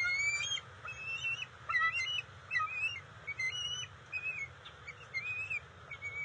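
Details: Bald eagles at the nest while the female delivers fish to the eaglets, June 27, 2021: soft, high whistles and short twittering phrases repeated at irregular intervals, with a constant low hum behind them.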